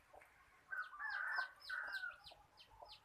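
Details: Decoy chicken used for catching birds, calling with a good voice: a harsh, drawn-out, slightly wavering note of about a second, followed by short clucks, while thin high descending chirps from other small birds repeat in the background.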